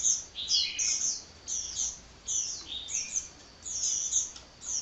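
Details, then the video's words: Restless hummingbird singing: short clusters of very high, thin chirps and twitters repeat roughly every second, with quieter gaps between clusters and a low hiss throughout. "Kicau Burung Kolibri Ngocehnya Ngedyan Ra Leren Leren"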